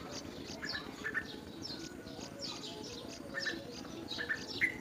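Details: Yellow-vented bulbul taking worms into its mouth while feeding, giving brief high chirps with short clear whistled notes in small clusters, a louder note near the end, against a constant low rumble.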